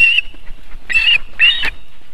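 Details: Osprey at a nest in Võrumaa, South Estonia, during a nest landing on a July 2021 evening: three harsh, squealing whistled calls in quick succession with a rustling flutter between them.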